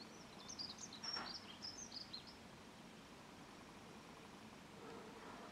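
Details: Dunnock song: a quick, high, scratchy warble lasting under two seconds with a broadband rush partway through, then steady background noise.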